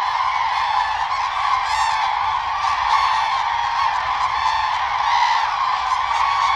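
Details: Common cranes dancing for mating, spreading wings and bowing while giving their call; a steady chorus of many trumpeting birds, overlapping honks swelling and fading with a few clearer bursts.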